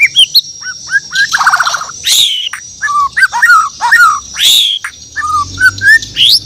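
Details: Morning song of a Bornean white-rumped shama: rich whistled phrases mixing sliding notes, short chips and harsh buzzy bursts, delivered in quick varied sequences over a faint high hiss.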